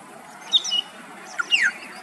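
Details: Afternoon song of a male Australasian figbird in Queensland, Australia: a short chirp and level whistle, then a sharp downward-sliding whistled note about a second later, against quiet background.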